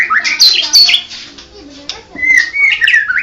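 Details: Medan 'blorok' white-rumped shama song: high, rapid slurred whistles and harsh notes, a short lull, then a run of level clear whistles.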